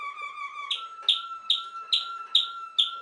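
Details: Waterslager canary, also called Malinois canary, holding a steady low whistled tone while loud bright downward-sweeping notes repeat about every 0.4 seconds above it.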